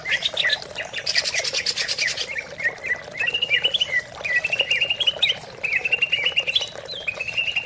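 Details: Greater green leafbird song played to coax silent leafbirds into singing: lively sequence of sharp whistled notes, quick chirps and short warbled phrases, with a buzzy high passage near the start over a constant background hum.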